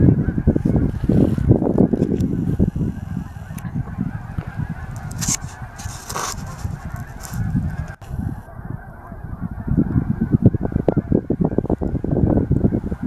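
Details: Geese gathered on a reservoir at Altus, Oklahoma, making a constant clamour of overlapping honks, rapid and irregular, easing briefly midway before building back to a loud chorus.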